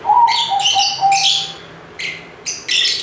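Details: Lovebirds in a lively chirping session: harsh, buzzy chirps come in short bursts about every half second, with gaps between groups, over a faint, steady, lower whistled tone.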